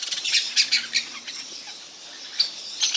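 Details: Parakeets known locally as maritacas, calling in quick clusters of rough, screechy squawks, then a quieter pause before more harsh shrieks near the end.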